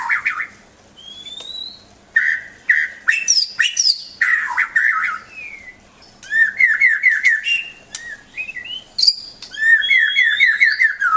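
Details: White-rumped shama song used to tutor pet songbirds: long thin whistles, bursts of harsh notes, then rippling rows of quick repeated slurred notes separated by short gaps.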